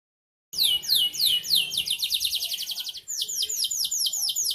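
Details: Canary singing a lively kalitan-style song after half a second of silence: rapid series of high, down-slurred whistled notes, shifting into a faster buzzy trill, then slower repeated sweeps near the end.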